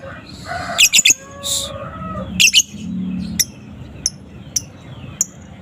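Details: Young balibu fighter lovebird in the afternoon giving scattered sharp, high chirps and a few harsher squawks at uneven spacing, with quieter pauses between, over faint low background hum.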